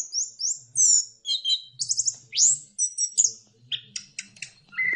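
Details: Orange-headed thrush singing to encourage other birds to sing: a fast, varied sequence of high, thin whistles and trills, some repeated in quick pairs, ending on a lower steady whistle, with faint low noise underneath.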